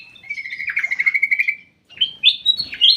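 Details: Ruby-throated bulbul kept in a private aviary, giving a long wavering note that pulses rapidly for about a second and a half, then a short pause and a few bright, rising whistled notes.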